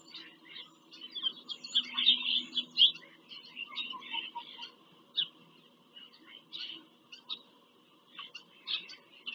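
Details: Bald eagles at a nest in Pennsylvania farm country during a visit on 5 February 2023, nest-camera recording: rapid high twittering and squeaky chips in uneven bursts over a low steady hum.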